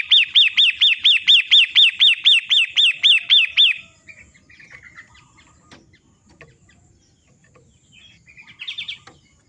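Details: Long-tailed shrike of the 'matahari' type, a training recording for caged birds: about four seconds of rapid, harsh, downslurred notes repeated roughly three times per second, then quiet with faint scattered chirps and a short burst near the end.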